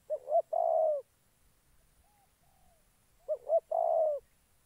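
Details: A spotted dove kept as a decoy in dove trapping, Gia Lai, Vietnam. Two loud phrases of two clipped coos and a longer sustained coo are separated by about two seconds, with faint soft coos in between.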